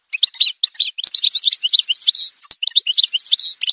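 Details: Fast, bubbling Algerian goldfinch song from an edited montage, mixing crisp twitters with drawn-out nasal buzzes that recur throughout the phrase.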